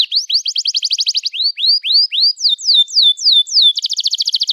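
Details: Canary 'cuit cuit emosi' song played as a lure for young birds: a quick trill, then rising arched whistles, then long falling glides, then a fast, even rattle of repeated notes.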